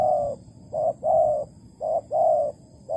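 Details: Spotted dove (tekukur), Malaysian type, calling as a decoy for bird trapping on 11 August 2020: loud, rhythmic coos alternating short and long hollow notes, a steady pattern repeated roughly each second.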